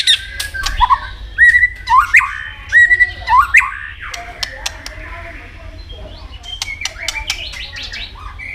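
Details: White-rumped shama in competitive singing: a sequence of short whistled phrases rising and falling, with sharp clicks between them and a softer, fading warble toward the end.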